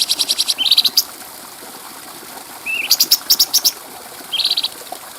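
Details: Stripe-throated bulbul (cucak cungkok) training song for tutoring other birds: bursts of rapid high ticks with short rising whistled notes between them, separated by quiet pauses.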